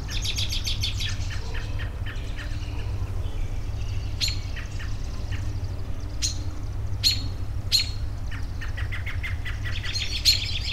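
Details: Several birds calling together, a relaxation recording: rapid repeated chirps at the start, then sharp high chips and short twittered phrases scattered throughout, over a steady low rumbling hum.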